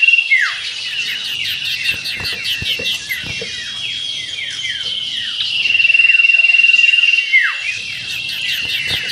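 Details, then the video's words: Common iora song at a bird-contest simulation: rapid, high, down-slurred whistles about four per second, with a sustained buzzy trill midway; no other sounds stand out. "Burung Cipoh Versy Meriwit Ngetir"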